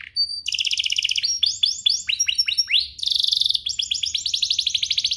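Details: A canary sings to rouse other canaries: a brief high whistle, then fast metallic trills broken by a series of rising and falling swept notes, then more rapid rattling rolls at a very high pitch.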